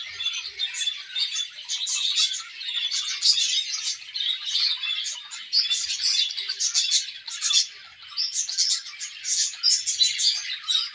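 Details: A pair of budgerigars kept in an aviary sings a morning warble, a continuous bubbling chatter of high squeaks, clicks and short whistled notes in quick irregular bursts.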